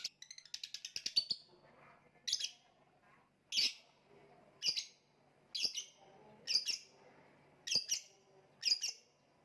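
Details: Lovebird starting with a quick stuttering run of chirps, then repeating harsh shrill squawks roughly once a second.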